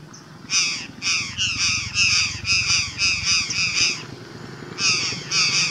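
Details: Flock of Curl-crested jays arriving in trees by a banana plantation near Pau Furado reserve, Uberlândia, Brazil, giving harsh repeated calls in quick bursts while woodpeckers drum territorially nearby.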